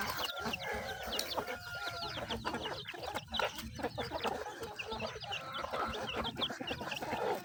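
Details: Feeding chickens: a dense patter of quick pecks at grain, interspersed with soft clucks and a few thin squeaky notes.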